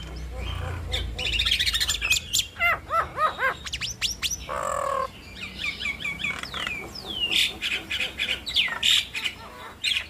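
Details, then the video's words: Nias hill mynas duetting to make other mynas respond fast: a long, varied stream of whistles, chirps and upward sweeps, broken by a harsh rasp midway. "Duet Maut Jalak Nias Bikin Ribut Semua Burung Jalak - pancingan Burung Jalak Bikin Cepat Respon"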